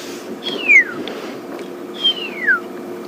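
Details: Pearl-spotted owlet calling on an August morning in the greater Limpopo transfrontier bush as spring nears: two high, drawn-out whistles sliding steeply downward, about a second and a half apart, over a low steady hum.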